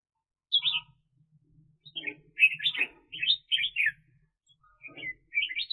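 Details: Decoy red-whiskered bulbul kept for trapping wild birds during the 2021 bird season: short bright warbled phrases in quick bursts, some rising and falling, separated by brief pauses, over a faint low hum.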